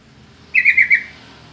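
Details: Bubbly three-note call of a yellow-vented bulbul, played as a lure so other bulbuls answer; the notes are liquid and tightly joined, finishing within half a second in near silence.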